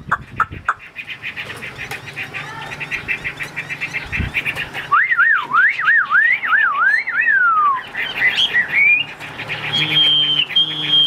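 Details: Singing Chinese hwamei, a caged bird with a fanned tail sold as top grade: a rapid buzzy chatter first, then a loud, lower wavering whistle that zigzags for about three seconds, and a closing high, level whistle.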